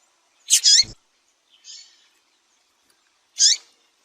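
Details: Female double-collared seedeater calling to stimulate males: three short, high chirping notes spaced over about four seconds, with one fainter, softer note between and a brief click after the first.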